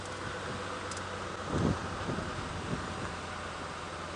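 Steady engine hum from a vehicle with wind and light rustling, a brief louder thump near the middle, and no animal calls.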